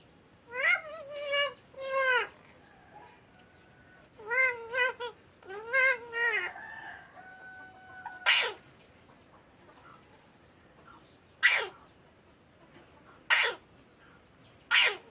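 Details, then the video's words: Green Alexandrine parakeet talking, repeating "mitthu": two bursts of harmonic, speech-like syllables with bending pitch, followed by four loud, harsh, broadband screeches spaced a couple of seconds apart in a quiet setting. "Raw green Parrot talking mitthu mitthu"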